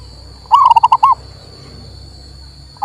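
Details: Local male zebra dove cooing, used to get a silent bird singing again: a tight burst of six rapid bubbly notes, the last slightly longer, then a pause before the next phrase begins, over a steady background whine.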